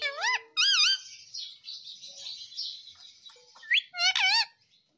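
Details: Indian ringneck parakeet kept as a talking pet in India, giving loud, harsh, wavering screeches in short bursts: two at the start, a quieter raspy stretch between, then a sharp upslurred note and a final harsh burst.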